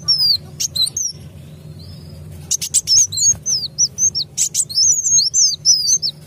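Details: Kolibri wulung sunbird sound used as a trapping lure: bursts of sharp high chirps and slurred whistled notes, a quiet gap, then a dense run of quick twittering phrases, with faint low background hum.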